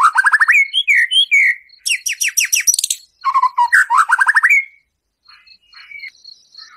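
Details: Gacor white-rumped shama song full of harsh 'shot' fills, used to stir a caged shama: rapid trilled runs, sweeping whistles and piercing high bursts, broken by a brief pause, with a faint repeating high tick behind.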